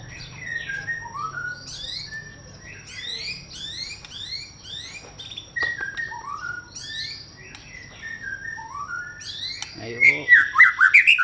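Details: White-rumped shama giving a run of rapid descending whistled slurs, repeated in quick clusters, ending with a louder burst of harsh, rattling chatter; low hum underneath.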